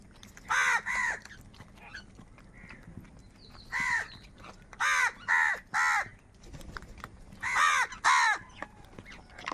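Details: Crows fighting for food call in rough, harsh caws grouped in twos and threes, loud and strident, separated by short gaps of quieter background noise.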